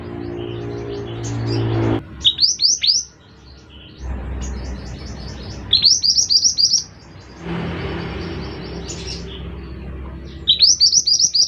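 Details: Energetic song of a Scarlet minivet (mantenan): repeated bursts of rapid, high-pitched, downslurred whistled notes, four or five per burst, separated by pauses, with low droning background noise between phrases.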